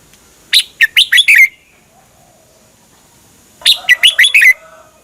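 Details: Red-whiskered bulbul song played to train or excite caged birds in Thailand: two short bursts of about five quick, rich warbled notes each, a second apart, clean background.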